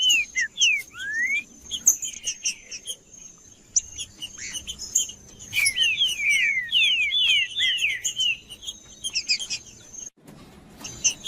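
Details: Macheando singing by a green-winged saltator to rouse other saltators: curved whistles at the start, then a dense burst of repeated slurred notes around six to eight seconds, with a thin high tone throughout and a dull noise near the end.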